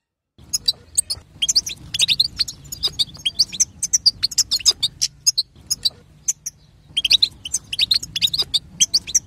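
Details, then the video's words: European goldfinch female chatter meant to get the male singing: a long, busy stream of sharp high chirps and twitters, briefly thinning midway before resuming densely. "بتبتة حسون وطنطنة تجعل الحسون يغرد"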